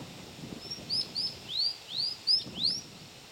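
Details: Scarlet minivet calling on 6 June 2010: a rapid sequence of sharp, very high upslurred whistles, roughly six or seven notes, some paired closely, with soft rustle and faint low murmur behind.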